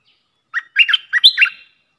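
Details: Streak-eared bulbul used as a lure bird for trapping in wild-bird country: a loud, clean burst of five or six quick chattering, bubbly notes, falling and rising, packed into about one second, with no other sound.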